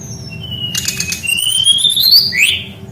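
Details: Rolling song of a Brown-chested jungle flycatcher, used to train other birds of its kind: a long whistle climbing steadily in pitch over clicky rattles, ending in a quick downward slur.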